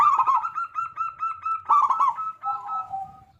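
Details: Big-voiced local zebra dove sings steadily as a lure to get other doves singing: a rapid series of even, clear cooing notes, a rolled burble, then a lower drawn-out coo.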